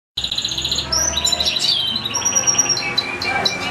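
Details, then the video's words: Caged European goldfinch singing indoors, kept alongside a second goldfinch and two young goldfinch-canary hybrids: dense high twittering with bright sustained whistled notes and rapid buzzy trills, steady and continuous throughout. "ΚΕΛΑΗΔΉΜΑΤΑ ΑΠΌ καρδερίνες"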